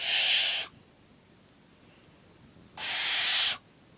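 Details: A young barn owl, nine weeks old, during feeding: two rasping, noisy hisses of about three-quarters of a second each, about two seconds apart, with near silence between.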